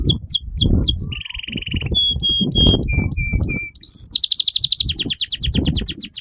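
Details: Canary song meant for teaching juvenile canaries: swept chirps, a buzzy trill, pure whistled notes in descending steps, a rasping burst, then a fast repeated rolling trill, with low rumbling noise throughout.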